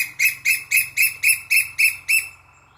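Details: Asian koel giving a rapid series of eight shrill, grating notes, evenly spaced roughly every quarter second before stopping abruptly, over a steady faint low-pitched hum.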